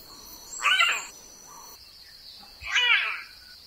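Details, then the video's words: Two rasping, drawn-out caws from a raven of Australia, Oceania and Southeast Asia, roughly two seconds apart, over a constant shrill buzz of insects. "Ворон. Австралия. Океания. Ю-В Азия. Голоса птиц"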